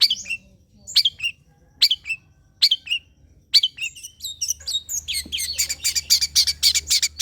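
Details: Lure song of a long-tailed shrike: evenly spaced harsh chips at first, roughly one per 0.8 seconds, then speeding into a dense, buzzy chatter of rapid notes.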